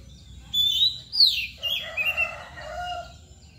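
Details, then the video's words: Oriental magpie-robin (kacer) giving its mbagong singing style, named alongside nangkur: clear high whistles and a sharp rising note, then a lower, harsh, rasping chatter with a nasal tone that fades out. "KACER MBAGONG LUCU ABIS | KOCI NANGKUR"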